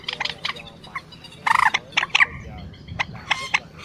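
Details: Quốc biển and trích ré calls, two adult and young birds played as a lure for night net-trapping during the March 2024 migration season: short harsh bursts and harmonic squawks in irregular clusters, with a loud rasping burst near the middle.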